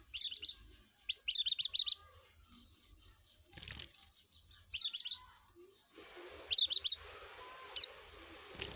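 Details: Oriental white-eye singing continuous ngekek song: loud bursts of rapid high stuttering notes alternate with softer fast buzzy trilling, with brief rustling noises between bursts.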